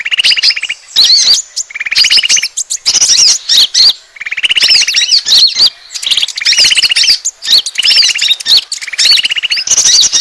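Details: Asian glossy starling lure call meant to attract birds: buzzy rattling trills alternating with sharp squeaky chirps and whistled notes, in repeated bursts roughly every two seconds, loud and high-pitched.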